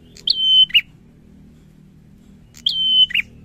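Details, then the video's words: A bar-winged prinia gives two whistled phrases roughly two and a half seconds apart. Each starts with a sharp high note, stretches into a steady tone and finishes on a lower burry note, with a faint low hum underneath. "PRENJAK GACOR SORRR"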